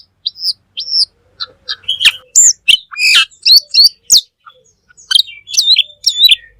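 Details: Full 'gacor' singing of a black magpie (cucak keling), recorded to tutor other birds: spaced high whistled phrases that grow into dense, loud warbling and sharp clicks.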